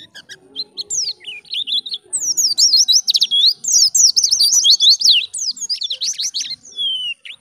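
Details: Energetic white-eye song in ngalas style for luring others: a few scattered high notes, then a rich, continuous stream of rapid zigzag whistles, ending on a long falling note.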